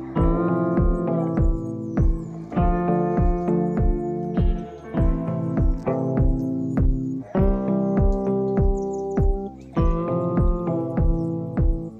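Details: Keyboard music with sustained chords and steady percussive beats, with no animal sound heard.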